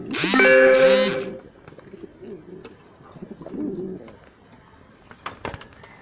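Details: Bronze Modena domestic pigeons, big size, from a farm with over 200 pairs in Comilla, Bangladesh: a loud, rich two-part coo opens, followed by softer low murmuring coos and a few sharp clicks or flaps near the end.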